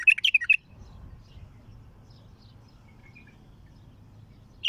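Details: Raw recording of a bulbul's heavy-throated song, opening with a quick loud cluster of bubbling, warbled notes lasting half a second, followed by near silence with a faint hum.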